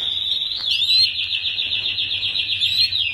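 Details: Canary song meant as a tutor for young birds learning to sing: a steady, fast rolling trill held at one high pitch for about three seconds, opened by a short rising whistle.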